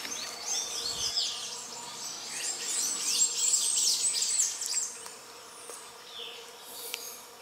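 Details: Grey-breasted parakeets while mating: a dense, continuous mass of shrill, high-pitched chattering and squeaky notes overlapping throughout, with the calls fading toward the end.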